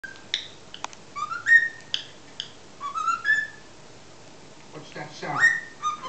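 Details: Six-month-old pet cockatiel whistling tunes, including the Chocobo theme from Final Fantasy 7 and the Addams Family theme with clicks; clear rising whistled notes in short phrases with sharp clicks between, quiet room.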